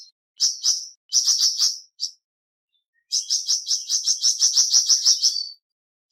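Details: Flamboyan bird giving short clusters of two or three high chirps, then a steady run of about fifteen quick, buzzy notes. It closes with a final chirp. The surroundings are silent.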